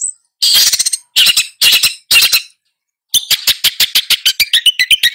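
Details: Long-tailed shrike giving loud, grating rasps in four short bursts, then a pause and a fast series of dry, clicking rasping notes repeated several times a second.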